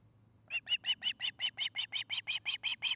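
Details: At a Charlo, Montana nest camera on 29 August 2018, an osprey gives a rapid, even string of about fourteen piercing chirps after a brief quiet start, with a faint low hum behind.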